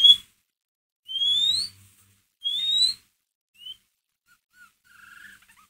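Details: White-rumped shama lure call, ngeriwik type, to stir another shama: two long rising whistles, a short high slur, then quiet soft twittering notes trailing off.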